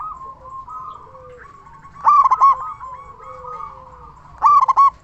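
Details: Big-voiced local zebra dove singing continuously, used to draw other zebra doves into song. Two strong rolling coo phrases about 2.5 seconds apart rise above a background of quieter doves cooing.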